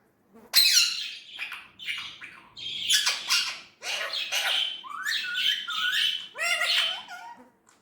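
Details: An Indian ringneck parrot talks in a sharp, squawky voice, strings of mimicked syllables with curving pitch, delivered in three or four connected phrases.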